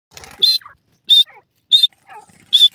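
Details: Grey francolins in a forest habitat: four loud, sharp, high notes spaced about 0.7 seconds apart. Softer, lower chattering notes fill the gaps between them.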